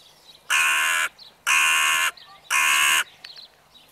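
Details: Crows calling in the evening: three long, loud, strongly harmonic caws of about half a second each, spaced roughly a second apart, with soft chatter between them.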